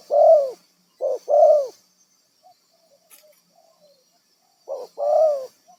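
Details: Wild-caught spotted dove used for decoy trapping: a few deep coos, a gap with faint muttering, then another short-long coo pair.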